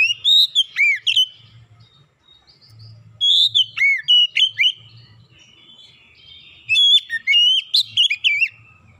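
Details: Lure recording of an oriental magpie-robin meant to make other birds sing: three bouts of loud varied whistles with swooping and rising notes, quieter gaps between, faint low hum.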